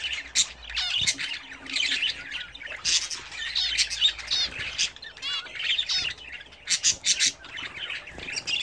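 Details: Home-kept budgerigars chatter while bathing: an unbroken stream of rapid squeaks, buzzy trills and sharp chirps from several birds, with loud pulses near the end.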